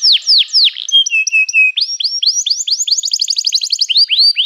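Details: Varied canary song: sweeping downslurred whistles, a few flat piping notes, then a rapid rolling trill of short chirps and more repeated descending whistles, with no other sounds.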